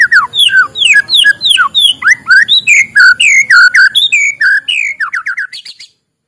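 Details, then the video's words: Morning song of a white-rumped shama, played to stimulate lazy birds: fast, varied sequence of clear whistled notes, rising and falling slurs, ending in a quick rising run of shorter high notes before stopping. "suara muraibatu di pagi hari, untuk pancingan muraibatu malas bunyi"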